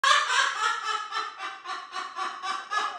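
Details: Pet cockatoo at home giving a mock 'roar', heard as a rough, raspy screeching burst pulsing about three times a second, loud at first then fading and rising again.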